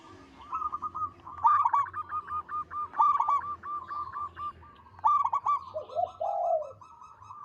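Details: Local perkutut, or zebra dove, in full song: busy strings of quick hollow coo notes in overlapping runs, closing with a deeper rolling, tremulous phrase near the end.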